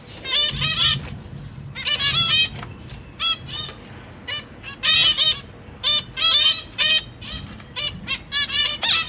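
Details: Zebra finches in a cage, parents feeding newly hatched babies alongside three juveniles, recorded 12 September 2023; steady stream of short, nasal, trumpet-like call notes from several birds, some in rapid doubled bursts, with soft wing flutters.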